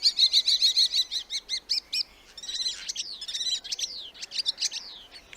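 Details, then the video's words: Common starling giving a rapid series of harsh, clicking and whistled notes, followed by a jumble of buzzy, squeaky chatter. "Starling Sound"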